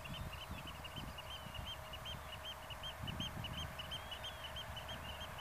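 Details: Black-tailed godwit filmed near Zoeterwoude, Netherlands, repeating clear arched high notes in quick succession, a bouncy rhythmic series with occasional longer slurred whistles and low wind rumble.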